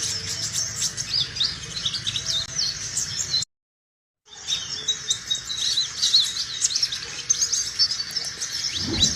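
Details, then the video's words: Sunbird song taken straight from the bird, used to lure other sunbirds or as training material: dense, high, thin chirps and twitters tumble together, broken by a short silence in the middle. "BURUNG KOLIBRI GACOR!!"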